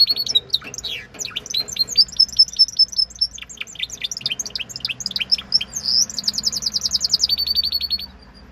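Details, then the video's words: Timbrado Español canary, Greece, singing clear high notes in quick varied series, steady chip runs followed by a rolling trill of rapidly repeated notes that ends abruptly; faint low background hum. "#timbrado #espanol #canary"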